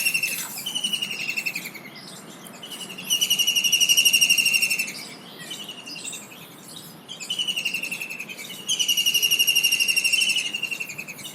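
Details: Kingfisher, a common Indian diving bird, calling in shrill, rapid rattling trills, each burst lasting about two seconds and sliding slightly downward, with quieter trills and short pauses between the louder bursts.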